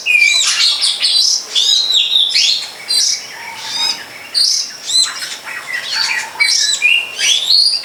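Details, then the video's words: Long-tailed shrike singing outdoors; busy, high-pitched twittering with scratchy chatters and brief clear whistles, delivered in rapid phrases. "Pesona Burung Cendet di alam"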